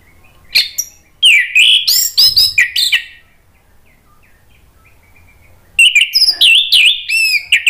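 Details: Orange-headed thrush song in two dense bursts of jumbled whistles, squeaks and chatter, split by a quiet gap of nearly three seconds, played to stimulate a reply.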